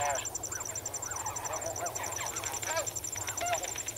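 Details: Snow goose flock calling while swimming and wading in water, many arched nasal honks in quick succession, some overlapping, against a steady trill of crickets.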